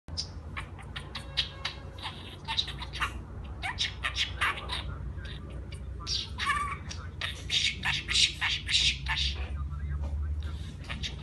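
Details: A budgerigar chatters in fast, squeaky, speech-like bursts, mixing mimicked words with warbling clicks and chirps over a low steady hum.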